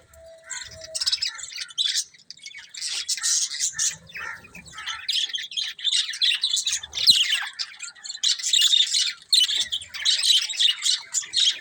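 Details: Budgerigars kept as pets chatter in loud, scratchy bursts of chirps and squawks, growing busier and more continuous in the second half, with a brief click midway.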